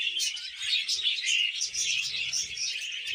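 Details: Pet budgerigars being tamed, chattering in a dense, continuous stream of high, scratchy chirps and warbling twitters that overlap without pause.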